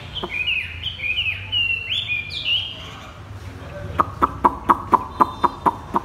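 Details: Chinese hwamei in a cage set on the ground sings 'thắt cổ chai' (bottleneck) style song: a few seconds of loud, slurred, rising and falling whistles, followed by a string of regular sharp clicking knocks.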